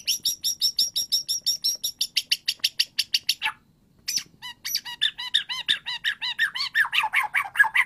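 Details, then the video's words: White-rumped shama singing, a song meant to prompt a silent bird into singing: a fast run of sharp high notes repeated about three per second, a brief pause, then varied chattering and whistled phrases. "PANCINGAN MURAI BATU AGAR IKUTAN NYAUT"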